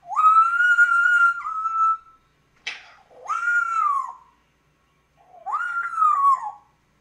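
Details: African grey parrot mimicking a cat's meowing with three whistled, meow-like notes that rise, hold, then slide downward. The first note is longest, and a short click falls between the first and second.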